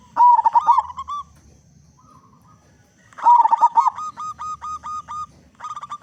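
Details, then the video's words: Zebra dove of local stock, a strong loud singer played to prompt other zebra doves to sing. Two phrases of rapid stuttered coos, each followed by a row of evenly spaced, slightly higher clipped notes. "Perkutut Lokal Gacor Suara Besar Pancingan Burung Perkutut Agar Cepat Bunyi"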